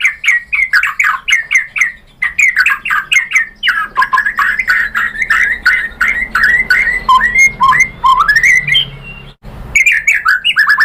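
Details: White-rumped shama song used as a lure to make other shamas reply: continuous stream of loud, fast whistled notes, downward and upward slurs repeated many times with harsh chips mixed in, nearly unbroken for eleven seconds.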